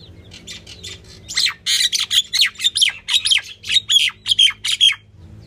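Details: Female common myna giving a dense, nearly continuous stream of loud, raspy, squawking notes for about four seconds, varying slightly in pitch and tone.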